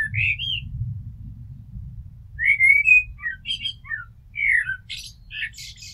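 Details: House blackbird delivering two song phrases: an opening rising whistle, a pause, then a mellow fluted phrase with down-slurred notes, finished by scratchy high chattering twitters; faint low rumble underneath.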